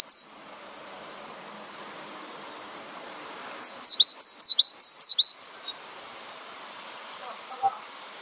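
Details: Song of a cinereous tit, recorded as a master for songbird training: after a single high note and a long quiet stretch, a tight series of about eight repeated high, slurred whistles follows, with faint background hum.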